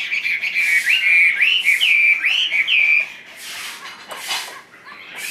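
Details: Caged Chinese hwamei giving a loud run of clear whistled notes that swoop up and down, about three per second, followed by quieter notes and bursts of broadband noise.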